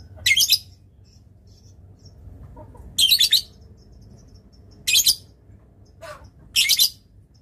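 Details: Lovebird on a masteran (tutor) recording, described as giving a long ngekek chatter. Four harsh, buzzy, very high bursts, each about a third of a second, come one to two seconds apart. A faint low hum sits underneath.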